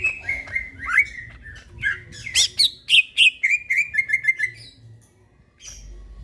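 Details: At midnight, a greater green leafbird sings energetically. It strings together slurred whistles that dip and rise, then a fast series of sharp chirps that climb higher before falling into a quick descending run and ending in silence.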